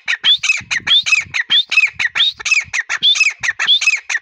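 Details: Grey partridge in breeding season giving a rapid run of harsh, ringing notes, each with a short upward-sweeping whistle, repeated about one and a half times per second without pause.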